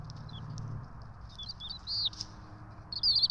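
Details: Bald eagle twin chicks at a nest cam in Johnson City, being fed on 12 March 2024; a few thin, high, downslurred whistles and short peeps over a low background hum.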